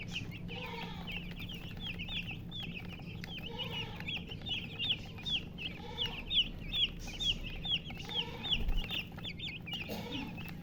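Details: Chicks with a hen keep up dense, quick high peeps, several per second, while the hen gives soft low clucks about every two seconds; a constant low hum runs beneath.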